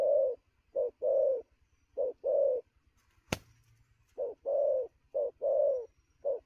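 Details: Spotted dove recently taken from the wild, cooing quickly at noon: paired hollow coos, brief then drawn out, with a sharp click midway through a short pause before the pairs resume.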